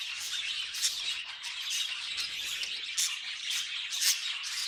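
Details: Budgerigar noises from pet birds: busy, scratchy warble packed with shrill squeaks, with louder sharp chirps standing out near one, three and four seconds.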